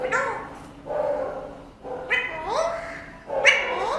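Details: Pet Alexandrine parrot talking: three speech-like phrases of harmonic, gliding syllables with rising sweeps, each about a second long and separated by short pauses, in a quiet room.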